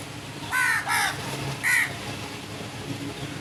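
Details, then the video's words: Three grating crow caws in quick succession, two close together and one after a short gap, then quiet background hiss. "Crows sounds | Beautiful singing of crow birds"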